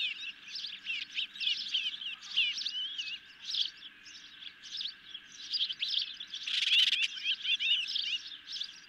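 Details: Nest-cam recording of hungry ospreys being fed a medium fish on a July 2021 night; rapid series of high, slurred chirps, about four per second, with a brief louder crackle midway and a faint steady hum.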